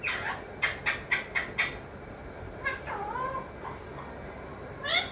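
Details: Talking parrot, said to say mithu, mummy and papa, making five quick rhythmic squawks in a row, then softer warbled syllables and a final sharp call.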